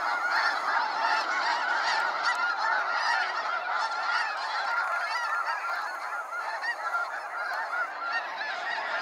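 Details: Snow geese leaving Sacramento National Wildlife Refuge at sunset in a huge flock, producing a loud, constant wall of barking honks, some clearer single notes standing out above the roar.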